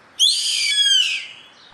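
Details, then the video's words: Single loud, raspy scream of a yellow-headed caracara heard in nature. It is buzzy and high, sliding gradually downward over about one second before fading, with little else audible. "GAVIÃO CARRAPATEIRO CANTO NA NATUREZA"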